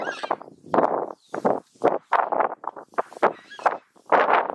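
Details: Southern screamer (Chauna torquata) giving loud, harsh honking screams in a rapid broken series of short bursts, about two per second, with brief pauses between phrases.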